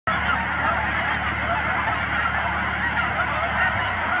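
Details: Thousands of Canada geese gathered at the Cheam Wetlands near Chilliwack, British Columbia, giving a dense, unbroken chorus of overlapping nasal honks with no pauses. A faint low hum runs underneath.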